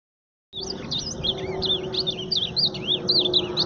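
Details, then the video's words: Ultramarine grosbeak singing loudly: a rapid, continuous run of warbled, looping whistled notes, high and wavering, starting abruptly after a brief silence, with low background hum. "Azulão cantando forte"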